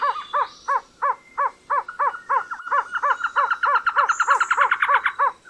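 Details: Trogon giving a long chain of hollow, evenly pitched notes that accelerate into a rapid rattling run, with faint forest insects and hum underneath.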